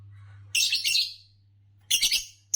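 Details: Green Fischer's lovebird, the green color form, chirping: two bursts of harsh, shrill, buzzy chirps, the second a quick stutter of three notes, over a faint low hum.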